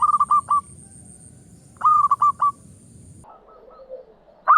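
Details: Local zebra dove song used as a lure to start silent doves singing: short bursts of fast, mellow cooing notes in two spliced groups, with a steady high hiss and a low rumble behind.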